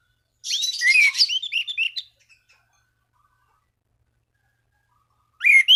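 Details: Orange-banded thrush singing to provoke rivals and stimulate other thrushes to sing: a short burst of high whistled and scratchy notes, then silence, and another rising whistled phrase at the end.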